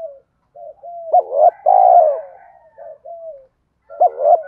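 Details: Spotted dove cooing used to stimulate other doves: soft lead-in notes, a hooked double note and a long rolling coo, then more gentle notes and a new phrase starting.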